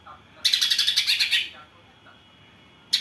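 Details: Greater green leafbird whose song is filled with house sparrow-like phrases, matched against another bird: a loud, fast, buzzy chatter of about ten rapid pulses over one second, then fainter low whistles and a fresh burst at the end.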